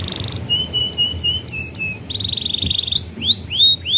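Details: Canary song used to teach young canaries: a steady series of short flat whistled notes, a buzzy trill, then rising swept whistles, over a low background hum.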